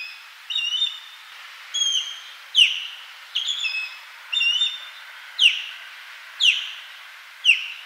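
An osprey gives shrill, whistled notes about once a second, some in short chirping clusters, others as sharp downslurred 'kyew' cries, with nothing else heard.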